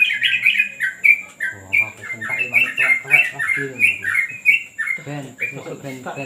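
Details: During terrace training, a yellow-vented bulbul pours out quick, slurred chirping notes in an uneven stream while a man talks quietly underneath.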